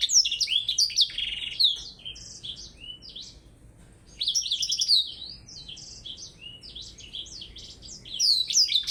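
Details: Blackthroat singing in a contest with a Java sparrow: fast, high, sweet warbling phrases of slurred whistles and chirps, a long burst, a quieter pause, then renewed rapid twittering.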